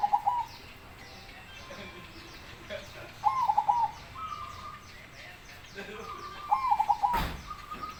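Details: Zebra dove described as a big-voiced baron, giving three rolling cooed phrases about three seconds apart, each a rising opening note followed by quick bubbling staccato coos, with faint chirping and rustling in the background.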